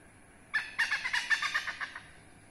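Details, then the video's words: Hornbill, a protected bird and one of 14 hornbill kinds found in Indonesia, calling behind a house: a rapid series of about ten harsh, cackling notes over roughly one and a half seconds, evenly spaced and slightly fading. "BURUNG rangkong ,BURUNG LANGKA Di belakang rumah"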